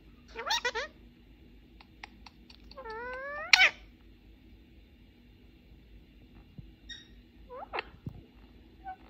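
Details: Pet ring-necked parakeet, male, talking in Persian and English while playing with a mobile phone indoors; short harmonic vocal bursts, a drawn-out rising, meow-like utterance midway, then scattered brief chirps and soft taps against a quiet room hum.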